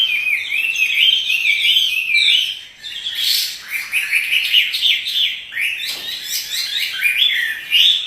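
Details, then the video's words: Kept Chinese hwamei singing energetically as it dances, a dense stream of sweet whistles, trills and rising slurs, with a brief dip in volume and a sharp click partway through. "Burung wambi (hwamei) gacor menari"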